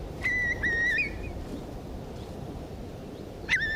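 Eurasian Curlew giving clear, fluty whistles: two or three drawn-out notes in the first second, then one more after a pause, over a low rushing background.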